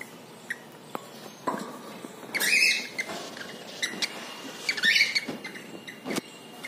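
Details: Male cockatiel bathing in water gives two rough, squawky calls a couple of seconds apart, with splashing, fluttering and dripping sounds throughout.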